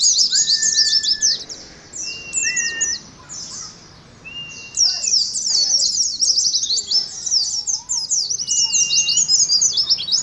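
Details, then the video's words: Ngalas competition song of an Oriental white-eye kept in a caged colony: bursts of high, fast twittering separated by quieter gaps, with several separate level or slightly rising pure whistles scattered through the song. "TERAPI ADU NGALAS SAAT KOLONI PLECI"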